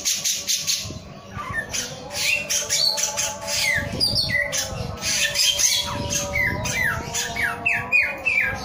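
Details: Energetic singing from a male samyong: scratchy chatter at the start, then a stream of crisp falling whistles repeated in quick succession over a steady hum and soft low knocks.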